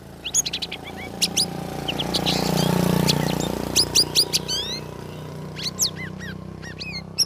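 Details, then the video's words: Caged sooty-headed bulbul in its third week of group hanging practice, chattering in the ngeriwik style with rapid upslurred chirps and whistles. A passing vehicle roars loudly in the middle of the phrases. "CUCAK RAWIS NGERIWIK NGEPLONG"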